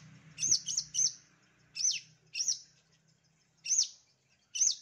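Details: Long-tailed shrike master song meant to provoke lazy shrikes into singing: loud, harsh, high notes in quick clusters of two or three, separated by short pauses, with a faint low hum beneath.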